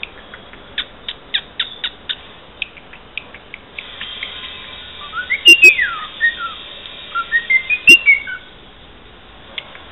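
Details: Pet cockatiel that mimics speech and whistles parts of the Santos football club anthem. Sharp clicks and short chirps come first, then clear, loud whistled melodic phrases that rise and fall in two bursts.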